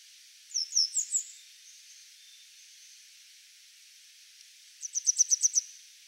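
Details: A grey wagtail singing on a power line gives four sharp, very high notes, then after a pause a quicker burst of seven bright, clipped notes; the recordist only tentatively identified it.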